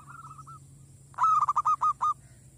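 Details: Village zebra dove calling to lure wild zebra doves and make them fierce: a soft rolling coo, then a loud burst of about seven quick, evenly spaced throaty notes over a steady low hum.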